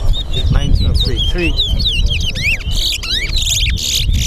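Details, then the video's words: Chestnut-bellied seed finch (towa towa) singing in a bird race at the Lamaha & Vlissengen Road bird ground, Guyana; quick whistled, swooping phrases repeat rapidly over a man counting aloud, background music and crowd chatter. "TOWA TOWA BIRD RACE"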